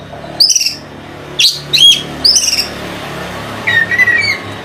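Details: Song of an oriental magpie-robin, played as a lure to provoke other magpie-robins into singing. Three quick high, slurred notes are followed by a lower, wavering whistled phrase, with steady background hum.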